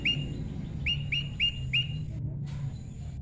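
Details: Tame moss prinia during natural pairing: a series of short, sharp chirps repeated about four times in quick succession, each with a quick upward flick, over a steady low hum.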